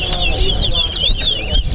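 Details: Brief towa towa (chestnut-bellied seed finch) phrase from a bird race at Sheriff Street bird ground: a string of thin, wavering whistles over a murmur of crowd voices.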